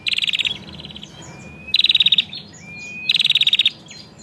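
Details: Female bar-winged prinia in the lively 'narung' style used to stimulate the male: three loud buzzy bursts of rapid clicking pulses, each about half a second, separated by thin rising whistles and softer chatter.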